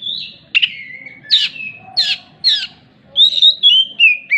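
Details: Oriental magpie-robin singing actively, its song filled with imitation of a hen clucking after laying an egg; loud whistled notes sliding downward, sharp buzzy bursts in quick succession, then a run of high clear whistles falling at the end.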